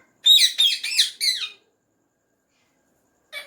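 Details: Hand-tame ringneck parrot producing a quick series of four loud, raspy chattering notes, followed by silence and one short final note.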